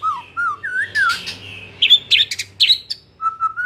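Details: White-rumped shama in afternoon song, offered as a lure recording: looping, wavering whistles climbing in pitch, then sharp high chips and buzzy notes, ending in a soft whistle that rises at the end.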